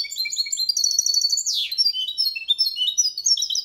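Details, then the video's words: Goldfinch-canary hybrid performing Malaga-style song for chicks to memorize: quick stacked trills, a sharp downward-swooping note at the middle, then lilting rising and falling phrases. "Mixto jilguero cantando copia malaga _ Hybrid of goldfinch singing for training songs"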